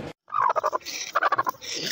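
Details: Caged black francolin offered for sale, described as a fearless bird: two bursts of harsh, rapidly pulsed notes, each under half a second and separated by a short pause, with a brief silence at the start.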